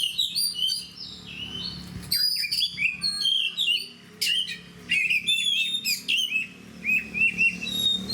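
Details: Caged oriental magpie-robin, a kacer fighter, sings loud varied phrases of clear whistles, quick chips and sliding notes, in bursts separated by brief gaps, with a faint low hum in the background.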